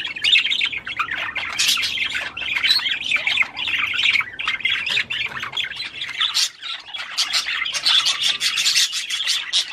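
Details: Budgerigar warbling to stimulate a female to mate: a continuous, scratchy stream of high, busy chirps, clicks and squawks with no pause and no other sounds.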